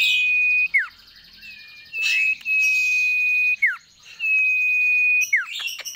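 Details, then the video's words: Sooty-headed bulbul singing: sustained whistles on one high pitch, each closing with a falling slur, separated by buzzy, scratchy warbles. "Asyiknya mainan burung Sirtu Gacor"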